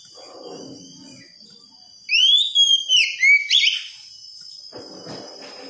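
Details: Young, untrained Oriental magpie-robin, played as therapy to encourage a 'wikplong' song style: after quiet background murmur, a loud phrase of clear, sweeping whistles, looping up and down in quick succession for about two seconds, alongside a steady high tone.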